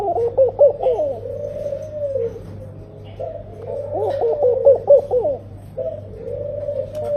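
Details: Tame, vocal laughing dove, also called Senegal dove, sings a soft, low, bubbling coo that climbs and falls in quick wavering notes, then settles into a drawn-out hum. The phrase repeats about every three seconds over a steady low background hum.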